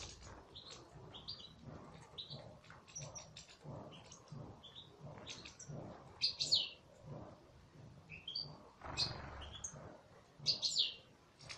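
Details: European goldfinch singing in captivity: a long run of quick, high, tinkling chirps and twitters, some louder liquid phrases near the end, over a soft low background hum.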